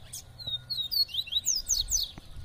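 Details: Double-collared seedeater kept in a cage, coaxed by its owner, delivering a rapid chain of bright, slurred high whistles rising and falling. A few soft clicks and low background rumble are also heard.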